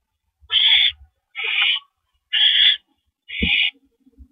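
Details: At the nest at 8:45 PM on April 9, 2012, a male barn owl brings a rodent. Four harsh hissing screeches, about a second apart, with some knocking and a brief low squeak after the last.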